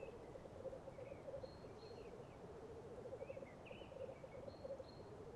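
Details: Black grouse at a lek on a chilly, frosty morning in Tiveden, Sweden, give a continuous low, dove-like bubbling rookoo rolling in steady pulses, with faint high chirps from other birds.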